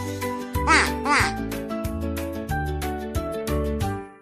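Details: Duck giving two quick, nasal quacks with rising-then-falling tone in the first second and a half, over bouncy children's music with a steady bass beat.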